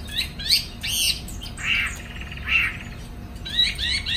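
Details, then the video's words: In Hanoi, Vietnam, a caged Chinese hwamei flares its wings during afternoon singing: rich upslurred whistles, then two broad, harsh churring notes about a second apart, and sharp whistles at the end. "Chú mi chiều nay thích fang cánh"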